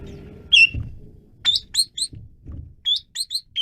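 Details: Asian pied starling singing energetically: loud, clear whistled notes around a high pitch with bright overtones, given in short separated bursts, a rapid cluster of three or four near the middle and again toward the end, over faint low background rumble.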